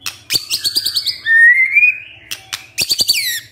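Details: Song of a white-rumped shama used to excite birds into revealing their repertoire: high thin whistles, a smooth rising note, then sharp chattering notes and a bright down-slurred flourish, faint low hum behind.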